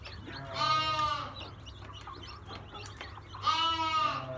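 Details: Ornamental Brahma chickens in Istanbul, Turkey, giving two drawn-out, rich harmonic calls roughly three seconds apart, each level in pitch before tailing off, over faint clucks and low background hum.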